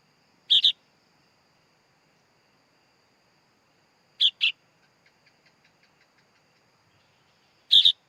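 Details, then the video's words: Sooty-headed bulbul chick calling three times with brief raspy double notes several seconds apart, with faint soft ticking between calls. "Suara Anak Burung Kutilang Bayi Kutilang"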